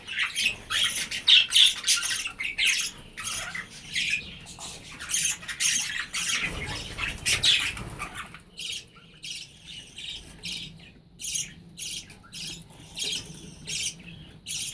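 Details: A colony of budgerigars in a breeding shed chatters nonstop with harsh squawks and rapid, scratchy chirps.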